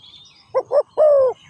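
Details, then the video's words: Single short phrase from a spotted dove: two quick low notes then one longer, gently falling coo. "Sound Of Spotted Dove is so good"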